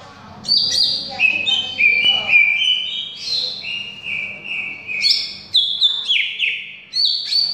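A greater green leafbird pours out a fast, varied run of clear whistles and slurred notes, high-pitched and changing phrase to phrase, over a faint low hum.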